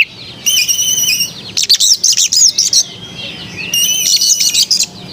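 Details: Melodious white-rumped shama song: a steady high whistled note, then bursts of rapid, tumbling high notes, repeated a second time, with a low background hiss.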